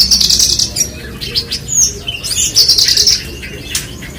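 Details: Branjangan, Horsfield's bushlark, delivering quick bursts of high buzzy chirps and thin whistles in uneven phrases over a faint low background hum.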